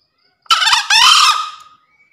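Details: Male green junglefowl in full breeding condition crowing, a recording used to stimulate birds that are reluctant to call and to lure birds in the forest: one short, loud, hoarse two-part crow that ends in a fading tone, with silence around it.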